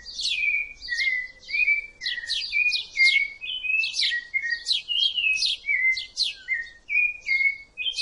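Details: Sustained song of a rufous-bellied thrush: fluty downward-slurred whistles interleaved with scratchy, buzzing high trills, delivered in a dense stream with only tiny breaks.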